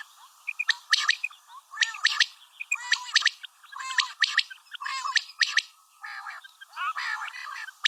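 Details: Female common quail calling in rapid, scratchy double and triple clicks grouped into bursts under a second apart, mixed with thin chirps.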